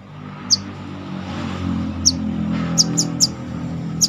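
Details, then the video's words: Brown-throated sunbird kept in a cage and trained for a fighting temperament, uttering six sharp, very high chips, the last few in a quick cluster, against a steady loud low hum. "burung korlap (Kolibri kelapa)Manggar...dengan cara ini pasti cepat gacor"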